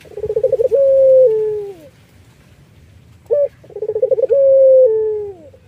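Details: Collared dove of the Iraqi type, kept as a lure bird: two full phrases, each a quick stuttering roll of pulses running into a long level coo that bends downward, separated by a short sharp note.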